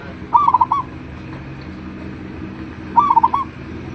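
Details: Local zebra dove with a big voice, recorded as a lure to draw answers from other doves: two crisp cooing phrases of rapid rolling notes ending in a longer coo, repeated after about two and a half seconds.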